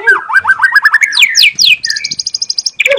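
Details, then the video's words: Young wild White-rumped shama in forest sings: a quick run of rich fluting notes, then loud sweeping whistles and a fast, even trill of bright ticking notes. "TEMBAKAN ALAM MURAI MUDA HUTAN"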